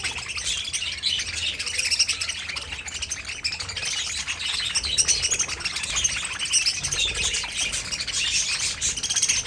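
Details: Several pet budgies in an aviary colony keep up a busy wash of squeaky chirps and warbles, many voices overlapping with no pauses.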